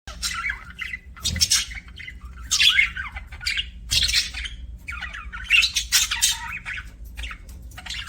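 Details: Pet budgerigars making happy chirping sounds: harsh, scratchy warbles and squawky chatter in repeated bursts with short pauses, noisy broadband notes mixed with rapid chirps.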